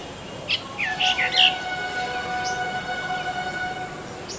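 Brahminy starling song: a short jumble of squeaky, gurgling notes and whistles around the first second and a half, then quieter; a steady tonal hum underneath.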